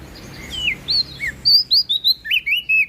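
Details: Prinia from West Nusa Tenggara singing loudly and melodiously: a quick run of clear, downslurred whistled notes, then a tighter burst of about eight sharp, high chirps with a few lower slurred notes in the final second.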